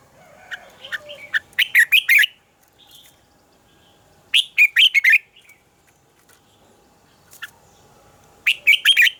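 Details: Red-whiskered bulbul morning song used to train birds, in a double-note style said to sound like a mature forest bird. Repeated bursts of four to six rapid, bright notes come every few seconds, with scattered single chirps between them.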